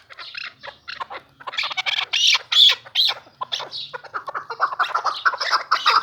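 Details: A newly acquired chukar partridge giving harsh, squawky bursts that rise in the middle and then settle into quicker, lower clucking notes.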